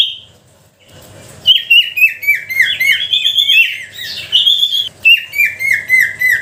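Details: Sooty-headed bulbul lure song aimed at stirring lazy bulbuls into song: after a short quiet start, fast cascades of descending whistled notes tumble on steadily, some overlapping.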